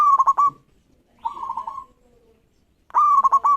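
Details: Singing local zebra dove, used to provoke rival birds: a loud stuttered phrase ends, a softer rolling coo follows, then after a pause another loud phrase of a rising note and quick staccato coos.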